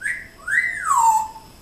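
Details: Pet African grey parrot indoors, a talking mimic, giving a clear whistled phrase: a short level note, then a longer note that swoops up and slides smoothly down, with a woman's voice chatting nearby.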